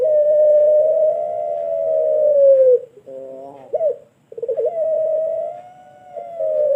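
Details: Indonesian pelung turtle dove, a bird-farm bird in Sragen used as a tutor for other birds, holding a very long level coo that sags at the end, then a short buzzy warble and another long sustained note.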